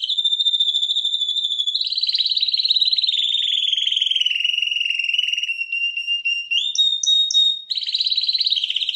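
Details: Champion canary singing in 2021: a clean whistled tone, then a long rolling trill slowly descending in pitch, a pause into rising glissando notes and short bright chirps, ending with a renewed rapid trill.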